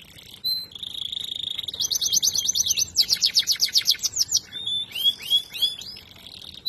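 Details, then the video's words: Song canary, bred for singing ability: a steady whistled note, then fast buzzy rolls and rapid repeated trills, ending in a series of sharp rising and falling chirps. "Song canaries singing : Bred for their sweet Canary singing ability"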